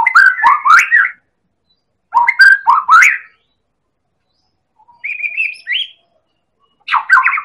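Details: White-rumped shama of Medan stock in a lure recording meant to set other birds singing: short loud bursts of mixed whistles and clicks, separated by silences, with one smoother rising whistle.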